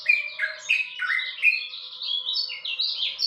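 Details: Short burst of dawn song from a lemon-bellied white-eye: quick, varied chirps and slurred whistles, some dropping in pitch, over a faint steady tone.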